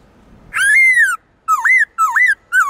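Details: Black-throated laughingthrush kept for song, its forest-style voice used to make wild-caught birds sing: a drawn-out bright downslurred whistle, then three curling whistled notes in quick succession.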